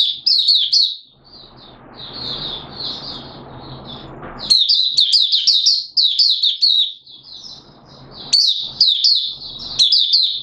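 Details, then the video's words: Malaysian Oriental white-eye hobby bird in buka sing song, Singapore, warm humid weather with sudden showers, 29 March 2023: long, fast, high-pitched twittering sequences, a quieter pause filled with rushing noise, then renewed vigorous chattering. "Malaysian Mata Puteh Buka Sing"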